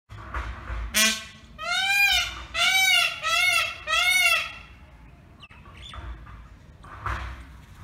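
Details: Indian peafowl calling in a small village, likely a peacock. It gives four loud, nasal, wailing notes in a burst, each an arched, ringing cry, followed by quieter rural background noise.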